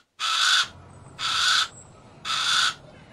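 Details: Harris's hawk (Parabuteo unicinctus) gives three harsh, raspy screeches, each about half a second long and roughly a second apart, with faint low rumble between; Harris's hawk.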